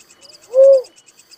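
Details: One soft, hollow coo from a Little cuckoo-dove (tekukur merah, uncal), rising slightly then falling, preceded by a quiet thin lead-in note, while insects tick steadily in the background.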